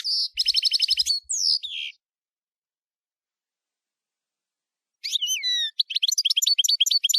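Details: Camper-style European goldfinch song: a tight buzzy trill and a down-sliding whistle, about three seconds of silence, then sharp whistled slurs and fast twittering notes.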